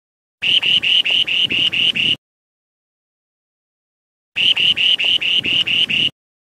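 Spoon-billed Sandpiper song: two buzzy, rattling phrases, each with about eight rapid high pulses, separated by two seconds of silence.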